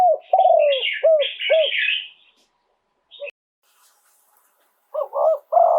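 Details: Spotted dove (nok khao yai) crowing live. Deep hooked coos repeat in a quick series, overlapped at first by a higher, harsh chattering from another bird, then a brief click and more coos.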